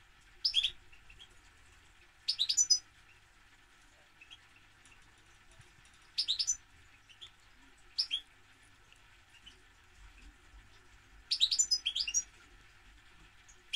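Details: European goldfinch singing in short, bright twittering bursts of high chirps, separated by pauses of one to three seconds, with a faint steady background hum.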